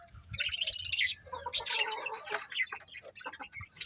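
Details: Happy pet budgerigar colony giving rapid, scratchy high chatter and buzzy chirps in quick succession, with a few lower warbled notes and soft rustling beneath.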